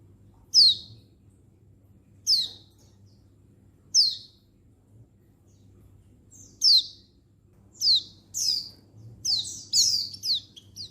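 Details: Female Oriental white-eye, recorded 19/11/22, calling to males: sharp, high, downward-sweeping chirps, spaced about every one to two seconds at first, then coming faster and overlapping near the end, over a faint low hum.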